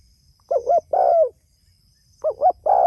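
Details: Spotted dove calling to its companions: two cooing phrases of soft, hollow notes, each with a longer note that slides downward, with a faint high hiss running through the background.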